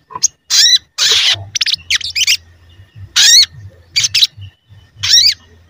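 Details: Crested jay (sogon) recording meant to provoke other birds into calling, with loud buzzy, grating bursts about one second apart and a few sharp rising notes, over a low steady hum.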